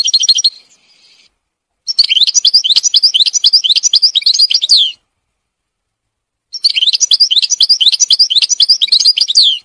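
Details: Forest-dwelling wild European goldfinch delivering two long, continuous runs of liquid twittering song, each about three seconds of fast, varied chirps and slurred notes, separated by a pause.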